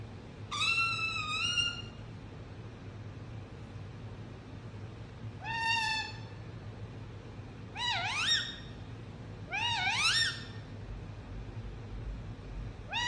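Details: Indian ringneck parrot, a pet, calls in bursts: a wavering drawn-out note, a shorter flat call, then two rising swoops close together, with quiet gaps and low background hum.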